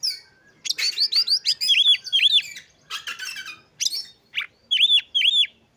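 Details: Oriental magpie-robin singing to provoke and arouse other magpie-robins: a fast series of repeated downslurred notes, then paired arched whistles, harsh buzzy phrases, and more arched whistle pairs at the close.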